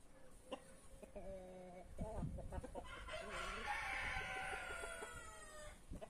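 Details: Back-yard free-range rooster among brahma, marans, naked neck and white star birds: short nasal clucking notes first, then a loud sustained crow lasting nearly three seconds, bright and harmonic, gently falling at the end.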